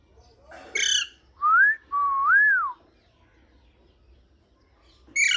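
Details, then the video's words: A parrot whistles two smooth, pure notes, one rising and then a longer arched glide that falls at the end. A harsh, multi-overtone squawk comes just before them and another at the close. "Parrot whistling full enjoyment"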